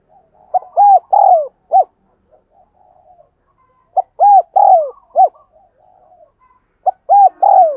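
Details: Rapid 'thúc gù' cooing of a spotted dove, played to train decoy birds and draw wild doves: clear low coos in quick bursts, each short note then a longer slurred one, repeated three times with quiet gurgles in between.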